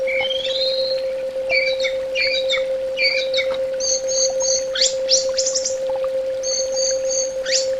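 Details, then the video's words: Varied orange-headed thrush song: rising whistles and clipped paired notes, then very high repeated chips and quick upward sweeps, a rich medley over a constant low hum. "SUARA TERAPI BURUNG ANIS BATA"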